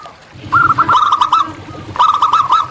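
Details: Local zebra dove in the wild, two rippling phrases of fast, bubbly cooing notes, each lasting about a second, with faint low background rumble.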